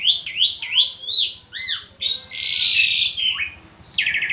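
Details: Pumping Asian pied starling in continuous song, meant as a lure to draw song from other starlings: rapid rising whistled notes, a loud harsh rasping stretch, then a falling whistle and clipped chatter.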